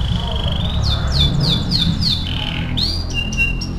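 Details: AF canary training song: a series of loud downward-slurred whistles, followed by a rising swept note and a short flat whistle, over a strong low background hum.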